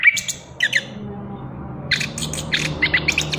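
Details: Chestnut-capped thrush, a free-flying youngster just out of its spotted juvenile plumage, in a sparser passage of its ngerol singing: short sharp chirps and brief clusters of squeaky notes separated by gaps, with a steady low hum behind.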